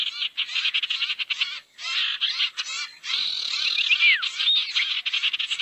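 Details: Barn owl calls played as a lure to attract owls: harsh, hissing screeches in rapid broken bursts, with one longer rasping stretch midway and a brief clear downslurred whistle near the end.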